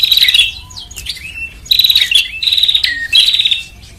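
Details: Prenjak, or bar-winged prinia, lure sound meant to draw birds in: four bright, fast-stuttering buzzy bursts, each ending in a downslurred whistle, with thin quieter notes filling the gaps.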